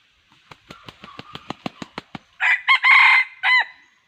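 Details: Red junglefowl crowing, with about ten sharp wing-beat pulses in a steady run followed by a loud harsh crow broken into several rising and falling segments.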